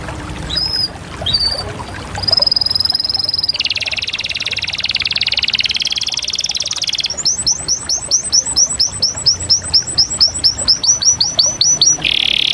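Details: Canary with a varied song: scattered rising whistles, a long level whistle, a dense low buzzing roll, then a long run of rapid repeated chirps, about two per second at first and quickening.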